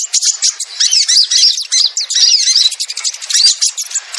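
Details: Lure recording of sogon birds for catching wild sogon that rarely come down. It is a busy, almost unbroken chatter of sharp high chirps and zigzag whistled notes, with layered voices.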